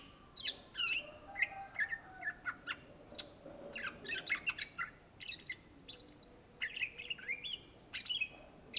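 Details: Cucak ijo, the greater green leafbird, singing energetically: a rapid, continuous string of varied chirps, trills and high whistles with sharp accents and almost no breaks.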